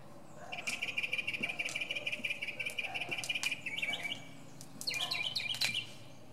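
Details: Northern mockingbird singing from the top of a pine tree: a long, fast, even trill of high notes runs for about three seconds, then jumps to sharper, rising and falling phrases.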